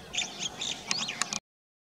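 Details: A black-headed bunting (Emberiza melanocephala), a winter migrant, at Bokar in Kanha National Park, Madhya Pradesh, India, in February 2023 gives a quick, second-long run of high, scratchy chirps and short twittering notes over faint background hiss.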